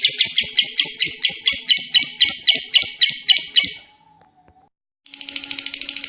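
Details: Lovebird giving a rapid chattering series of shrill, buzzy notes for about four seconds, then a second of silence before a softer, hissier burst of chatter resumes.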